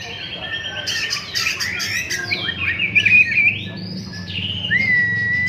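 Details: Oriental magpie-robin singing its learned repertoire: varied whistled phrases, rising and falling slurs and sharp chirps around high pitch, with a long clear rising whistle near the end; low steady hum underneath.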